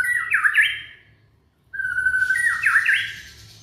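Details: Young white-rumped shama from Indonesia, sung to encourage other shamas: two phrases split by a brief silence, each a steady whistle sliding into quick looping rising and falling notes.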